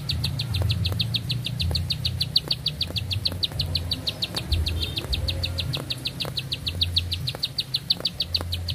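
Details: Sustained single song by a lively bar-winged prinia, a rapid metronomic string of high clipped notes continuing throughout, above steady low-frequency hum and scattered clicks.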